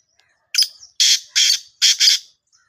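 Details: Black francolin in Sindh, Pakistan: a short opening note, then three loud, harsh, buzzy notes, the last one doubled, delivered in a quick rhythmic phrase over a silent background.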